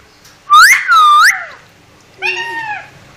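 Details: Talking parrot: two loud, clear whistles swooping down and back up, followed after a pause by a softer, level, harmonic-rich call that bends downward at the end; quiet indoor background.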